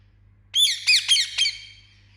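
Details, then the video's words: Indian ringneck parakeet giving a quick burst of four harsh, squawky chirps over about one second, each note sharp and high, fading into silence afterward. "Indian Ringneck Parrot Chirping Sound"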